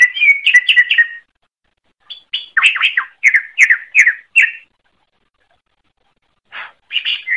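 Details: Greater green leafbird singing vigorously (gacor) on a songbird training recording: a rapid chattering burst, then a series of repeated sharp whistled notes about three per second, a two-second silence, and a new phrase starting.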